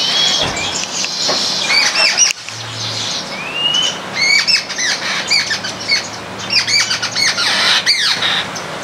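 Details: Baya weavers gathered in a house garden in India, feeding on grains as a flock: many sharp chirps and short rising whistled notes overlap, with a brief buzzy slur near the third second and occasional wing flutters.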